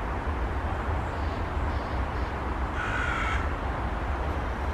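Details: Eurasian magpie and western jackdaw alarm calls on 6 November 2020, raised because a sparrowhawk is present, making the other birds and a nuthatch freeze; one harsh, grating chatter burst near the third second over steady low wind rumble.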